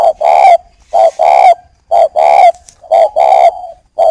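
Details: Loud, rich cooing from a caged breeding spotted dove in northern Vietnam, directed at a female. Deep, resonant notes come in steady doubled bursts roughly once a second, and the recording is otherwise quiet.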